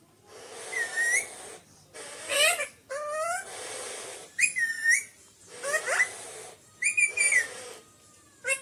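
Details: Pet Alexandrine parakeet, described as naughty, calling in a varied run of whistles, wailing upward slurs and arched notes, repeated irregularly with short gaps.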